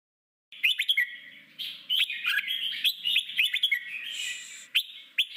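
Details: Red-whiskered bulbul singing in forest-voice style, a recording played to train newly caught bulbuls for singing contests: bright, liquid whistled phrases rising and falling, delivered in quick bursts of chirpy notes with brief pauses.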